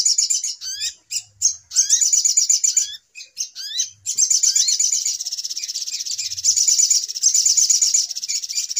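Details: Little spiderhunter (sogok ontong) in a noisy lure recording used for bird trapping: sharp upward-slurred whistles alternate with dense, high buzzy chattering trills, in bursts separated by brief pauses.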